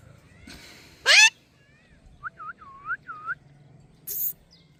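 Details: Talking parrot giving four short arched whistled notes at mid pitch, set between two loud harsh bursts of noise, otherwise quiet.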